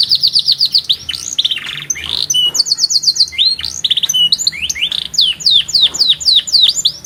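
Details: Canary with a vigorous song: a quick series of high repeated notes, buzzy rolled passages and then a string of deep falling whistles, each about a quarter second apart.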